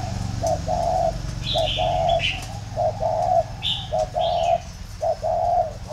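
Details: Spotted dove at a bird farm in Ba Vì, Vietnam, singing a very warm, plain three-note thổ pha coo. Steady mellow coo phrases repeat about once a second, mixed with higher chirps from another small bird.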